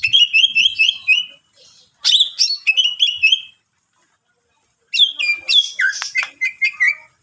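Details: Greater green leafbird singing to provoke other leafbirds, a rich varied song of repeated bright whistled notes and chattering phrases in three bursts separated by short silences.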